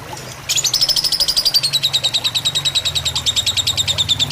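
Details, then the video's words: Fighter-style lovebird on a tutor recording with gentle water sounds: a sudden start into a rapid chatter of high chirps. The notes glide downward and then stay level, with a soft low murmur of water underneath. "Suara masteran lovebird fighter dengan gemericik air"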